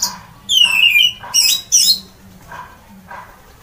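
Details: Orange-headed thrush giving loud song phrases that set other birds singing: sliding whistled notes dropping in pitch, then bright high squeaky bursts, separated by brief pauses; faint low hum underneath.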